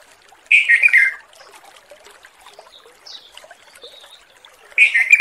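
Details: A wild male sooty-headed bulbul calling to a female gives two loud, bubbly whistled phrases about four seconds apart, with faint chirps of other birds in between.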